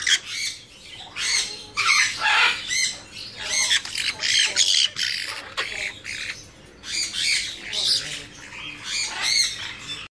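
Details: Harsh, scratchy screeching from a pair of tame young blue-winged macaws, female and male hatched in 2017 and hand-reared in captivity; noisy calls come in uneven bursts, roughly every two seconds.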